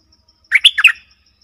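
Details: Streak-eared Bulbul phrase, dated 20 March 2022: four fast bubbly notes with a bright, slurred quality, sung once over a quiet, faintly ticking background.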